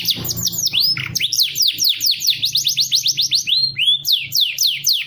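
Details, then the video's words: Canary song, clear and used as a master recording for training: rapid series of high descending sweeps, about four per second, with a low hum underneath. "Masteran kenari super mewah. Suara Jernih"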